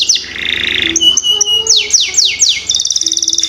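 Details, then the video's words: Varied canary lure song for young birds: a buzzy trill, short pure whistles, a series of steep falling sweeps, then a quick rattling trill. "Pancingan Kenari Paud Cepat Bunyi"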